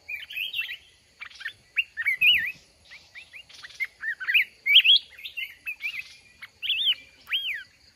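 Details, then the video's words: Trapped mountain red-whiskered bulbul in a contest with a caged bird: steady stream of cheerful whistled phrases, each note bending up then down, ending with a long falling slur. "Chào mào núi bẫy đấu"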